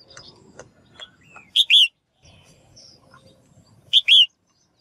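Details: Female bird giving calls to stimulate male singing, two loud paired chirps, a short clipped note then a longer buzzy falling one, preceded by soft scattered ticks and faint chirps in the background.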